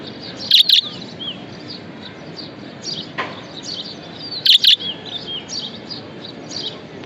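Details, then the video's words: Happy pet budgie gives a loud, piercing double chirp, then another almost four seconds later. In between runs a soft, high, chattering warble of short sliding notes. "Happiness Budgie"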